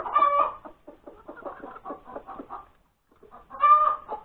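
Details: A hen announces a freshly laid egg at breakfast time on January 31, 2021, a Sunday: a harsh stretched squawk opens, a rapid chain of clucks follows, a short pause, then a second loud squawk.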